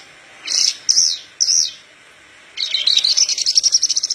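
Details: Parva Horsfield's bush lark in full song, used for teaching raw birds to sing: three loud slurred whistled notes, a silence, then a rapid high rattling trill that builds steadily.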